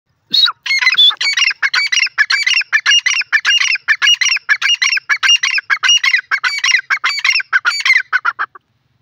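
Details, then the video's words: Female francolin (teetar, yellow partridge) calling: a fast, steady run of loud, harsh, ringing notes with rich overtones, about one hundred per minute for eight seconds, with no other sounds. "teetar ki awaaz voice yellow partridge voice"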